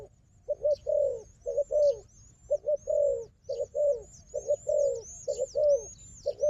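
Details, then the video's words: Wild dove noted for fighting, with a strong decoy bird: steady series of low hoarse coos, quick double notes alternating with longer drawn-out coos, while high thin bird whistles rise and fall overhead. "លលកព្រៃនេះខ្លាំងខាងជល់ ធ្នាក់ក៏ខ្លាំង"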